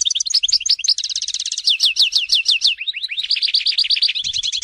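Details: European goldfinch song recorded in Tizi Ouzou, Algeria: quick liquid trills leading into a series of rising, slurred chirps, then a rapid buzzy twitter.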